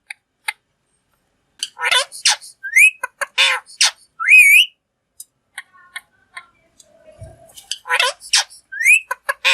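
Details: A pet green ringneck parrot gives harsh, grating squawks broken by clear rising whistles, in bursts separated by short silences; a low thump sounds near the end.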